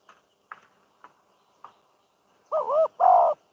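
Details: Spotted dove used as a decoy while training for trap-cage dove catching in Thailand: a few soft clicks, then two loud, hoarse coos, the first with a wavering double rise and the second a long, steady note.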